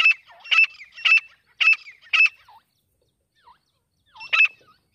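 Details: Wild grey francolin giving loud, harsh, ringing notes, five in quick succession about half a second apart, then a pause and one more; quiet background.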